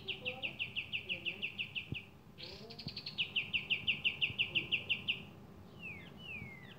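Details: Javan kingfisher, known as kapas tembak, calling vigorously: rapid chirp series, a buzzy rattle, a second quick run of sharp chirps, then falling whistled slides, with faint low background sounds.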